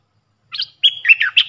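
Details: Decoy Puff-throated bulbul calling to train young hand-reared birds: a short chirped double note, a pause, then a level whistle running into wavering, downward-slurred warbles.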